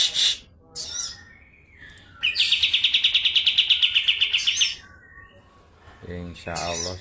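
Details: Medan-type kapas tembak singing in the rapid rolling style: short high chirps, then a burst of crisp repeated notes lasting over two seconds, with brief knocks and handling noise afterwards.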